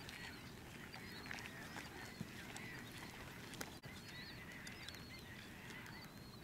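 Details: A flock of Bonaparte's gulls at the Salton Sea, California, in 2012 gives a steady chatter of overlapping short, raspy, nasal calls over a low rumble of wind or water.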